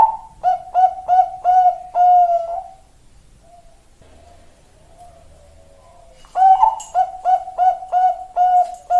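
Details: Zebra dove, Bangkok type, singing in the Indonesian song style: a rapid run of short, mellow cooing notes with a steady rhythm, a pause of several seconds, then a second run of rhythmic coos.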